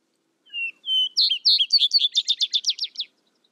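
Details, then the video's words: A single vesper sparrow song, with two clear whistled introductory notes followed by higher warbled notes and a steady, rapidly repeated trill that fades out. "Vesper Sparrow Bird Sound Bird Song Bird Calling, Chirps"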